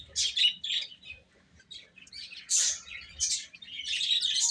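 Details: Young chicks eating: short clusters of sharp, high peeps separated by brief quieter gaps, building into a denser chorus toward the end.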